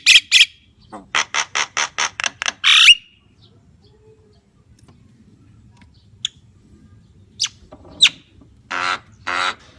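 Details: Javan myna singing: a quick run of about nine harsh, buzzy notes in the first three seconds, ending in a brief whistle, then near silence broken by scattered clicks and a few scratchy bursts near the end.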